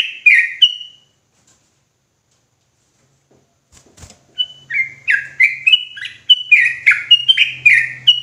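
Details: Sooty-headed bulbul singing in an agitated, rapid-fire ropelan style: a short burst of clear notes, a pause with a faint click, then a long quick run of bright chirped notes rising and falling over a low steady hum.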